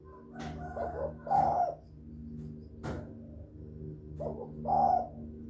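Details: Spotted dove cooing as a lure for other doves, giving two similar phrases about three seconds apart, each short notes rising into a strong throaty coo, with clicks and a constant low hum behind.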